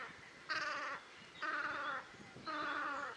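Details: Velvet scoter recorded at Liepāja, Latvia, March 2024, giving three drawn-out, buzzy, nasal calls with a rich, wavering tone, each about half a second long and spaced about a second apart.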